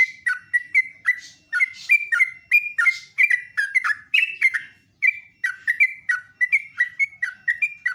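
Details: Sooty-headed bulbul delivering a long, loud morning song of bubbly, sweet whistled phrases in continuous rapid series, with only one short break midway.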